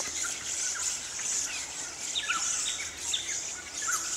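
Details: Little lorikeets in a large flock (200+) in bushland near Ellalong, Lower Hunter Valley, NSW, inspecting tree hollows in pairs amid flowering spotted gums, give short, shrill, high zipping calls scattered irregularly over a steady insect hiss.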